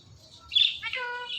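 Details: Pet ringneck parrot talking while watching itself in a phone, saying its name; a brief harsh squawk-like syllable followed by a tonal, harmonic-rich vocal note, quiet background.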